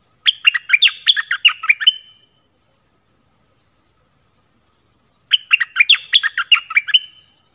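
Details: Dok Taeng bird delivering two rapid chattering phrases of crisp, falling chirped notes, each lasting about two seconds, with a long quiet gap and a faint soft note between.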